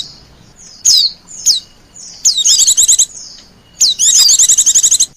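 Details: Oriental white-eye lure call used to attract wild birds: short high downslurred whistled notes, then rapid bursts of about ten sharp repeated chips, twice, over a quiet background.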